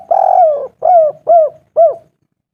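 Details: Local spotted dove calling a female, clear-voiced and actively calling: four mellow cooing notes, the first long and drawn out, then three shorter coos, each slurring downward, spaced about half a second apart, with no other sounds.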